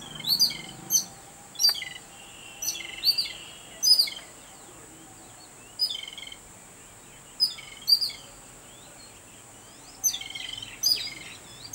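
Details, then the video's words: Babbler excited at the sight of a cat, calling in repeated bursts of sharp, high chirps about every second, with short pauses, above a constant shrill background hum. "EXCITED BABBLER BIRD"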